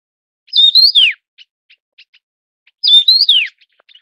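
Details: Taiwan yuhina from Taiwan's mountains: a loud whistled warble rising then sliding steeply down, repeated after about two seconds, with soft regular ticks between phrases and a clean, quiet background.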